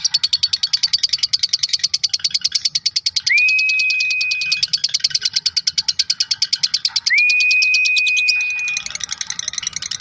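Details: Lovebird giving a long ngekek chattering song, used as a master recording for training songbirds: a rapid, steady run of sharp high chatter notes, about eight a second, broken twice by a long flat whistled tone.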